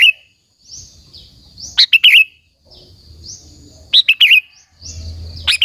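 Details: Provocative sooty-headed bulbul song used to lure other bulbuls: soft slurred whistles leading into crisp, bubbly three-note phrases, repeated about every two seconds, with faint low background noise.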